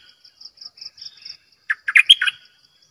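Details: ['Bulbul kept as a decoy bird, singing a short burst of rich, liquid notes with a quick rising flourish, preceded by a thin, pulsing high buzz of repeated notes.']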